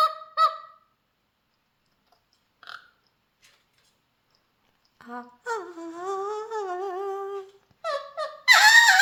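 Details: A pet Mealy amazon parrot singing: a few short nasal notes, then a long wavering, warbled tone and a burst of loud harsh squawks at the end.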